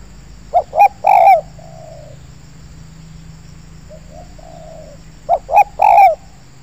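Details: Spotted dove, a wild bird arriving and calling near a perching tree in an oil palm plantation during a lure-trapping session: two short clipped notes, a louder rolling coo, then a softer drawn-out trailing coo, the phrase given twice.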